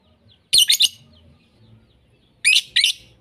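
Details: Lovebirds heard in a mixed lure track of prized lovebird voices, meant for pet birds to copy. A shrill triple chirp is followed after a pause by a double chirp. All the notes are high, scratchy and clipped.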